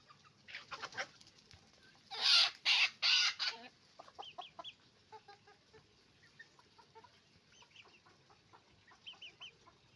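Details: Chicken farm with roosters and hens calling: a loud rasping burst near the start, followed by many short, nasal clucks and squawks repeated irregularly, roughly two to three per second, over a faint background hum.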